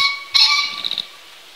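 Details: Wild male green pheasant in spring, first territorial crowing of the year in a field, calling in threat at a hidden nearby photographer; one loud harsh rasping crow under a second ending in quick fluttering pulses, over faint hum.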